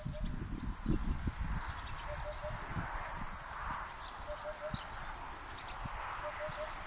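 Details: Eurasian hoopoe singing on 24 February 2013, recorded during a walk to gather wild asparagus: soft, low hollow triple hoots repeated three times at roughly two-second intervals, partly masked by loud footsteps and rustling close to the recorder.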